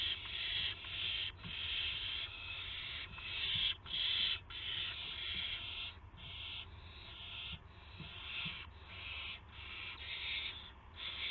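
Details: Owl at a nest on 18 March 2016 around 8 PM, as a gopher is brought in: harsh, breathy hissing screeches, each about half a second to a second long, repeated in a fast uneven series over steady low hum.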